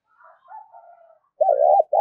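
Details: Calling spotted dove, a lure call meant to attract wild doves: soft, broken cooing notes, then a loud, wavering, mid-pitched coo with a sharp click at the end.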